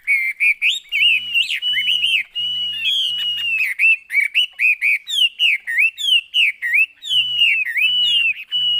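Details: Captive Chinese hwamei singing a loud, varied whistled song of slurred rising and falling notes, running continuously, then breaking into quick repeated phrases; a low steady hum is heard at intervals.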